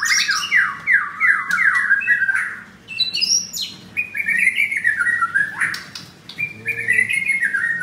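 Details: Male white-rumped shama in a cage at a Kemayoran, Jakarta bird kiosk, its voice turning harsh as it grows agitated: a rapid zigzag run of whistled notes, then sharp high slurs and descending trilled phrases repeated quickly.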